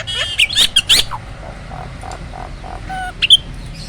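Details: Hybrid starling bred from Asian pied and black-winged starlings gives loud, hoarse squawks and bright whistled notes. Softer low chuckles run between them over faint background hum. The bird is kept as a vocal tutor for roll tembak singing.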